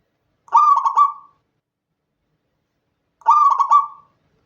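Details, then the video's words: A local zebra dove coos at night, a recording meant to prompt other doves to sing: two soft, stuttering phrases about three seconds apart, each a quick run of mellow notes ending in a drawn-out purr. Otherwise silent. "Perkutut Lokal Gacor Pancingan Malam Hari agar cepat bunyi"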